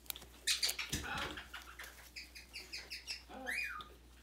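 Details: Young red-fronted macaw, six months old, kept as a pet and wanting petting and its itchy new feathers scratched. Scratching and rustling, then a run of short, repeated, buzzy squawks and one louder squawk that rises and falls.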